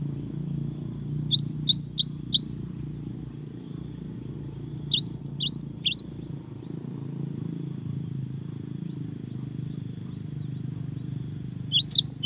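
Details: Cinereous tit singing to provoke a rival: three short bursts of high, thin, rapidly repeated piercing notes separated by long quiet stretches, with a steady low background hum throughout.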